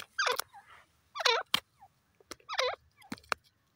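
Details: Grey francolin calling: three harsh, grating phrases with wavering falling notes, each about a second apart, interleaved with loud sharp clicks and short soft squeaks in otherwise quiet surroundings.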